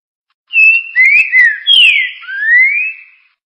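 Green-winged saltator singing a short phrase of clear, rich whistles: a level note, then slurred notes that rise and fall, ending in a long rising whistle.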